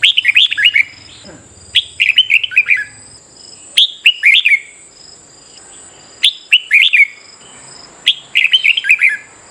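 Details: A red-whiskered bulbul sings in a morning session to encourage competitive song, giving clipped bursts of quick, descending warbled notes roughly every two seconds over a continuous thin, high background tone.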